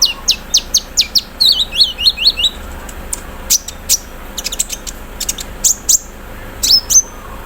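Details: Morning song of a caged konin (olive-backed sunbird) being dewed, with mimicked embroidery-machine material: quick high clipped chirps, a burst of descending buzzy notes, scattered sharp ticks and a final whistled slur.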